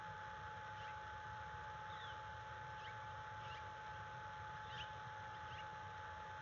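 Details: Bald eagle at its nest at the National Conservation Training Center, morning of February 1, 2022, stressed by a threat nearby: a series of short, high, downward-slurred chirps repeated about every half second over steady hum and rumbling noise.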